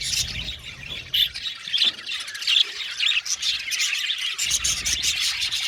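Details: Budgies chirping in a busy group, overlapping high twitters with a few louder sharp squawks standing out every second or so.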